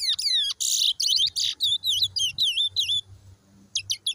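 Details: Brown towa towa from Guyana singing a fast, varied run of high whistled notes, some sweeping down and some warbled, in quick bursts about four per second, with a short pause before a few final chirps.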